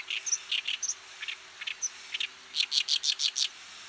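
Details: Oriental Reed Warbler from Japan, a bird of fields, grassland and waterside: harsh, grating notes in uneven bursts with a few thin squeaky accents, ending in a rapid run of about seven harsh, evenly repeated chacks. No other clear sounds.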